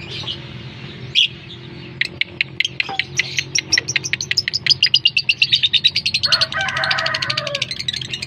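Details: Lovebird lure call, played to make other lovebirds respond: sharp high chirps that start sparse, then speed into a fast, steady chatter of repeated notes, with a harsher buzzy burst near the end over a low steady hum.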